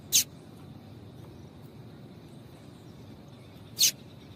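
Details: A female double-collared seedeater call, meant to prompt males to sing: two isolated, very short, high chirps over three seconds apart, with quiet background hiss between.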